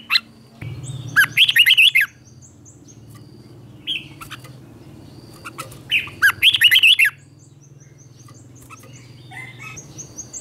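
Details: Morning song of a red-whiskered bulbul, played to push newly caught bulbuls into fighting song; two loud, tumbling whistled phrases several seconds apart, with a low humming background and a lone note between.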